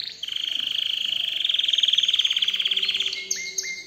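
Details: An excited canary sings a long, rapid, high rolling trill lasting nearly three seconds, ending with a few brief sharp notes, over a quiet background.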